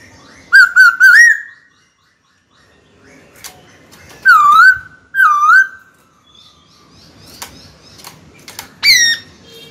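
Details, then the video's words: White-cheeked laughingthrush singing to challenge a rival to fight, in a cage: a phrase of short whistles ending upward, two loud dipping whistles, then clicks and faint noise before one last rising note. "Khiếu hót sắc nét, rõ ràng, kích bổi chuẩn, bổi nhanh mở mỏ đấu thôi!"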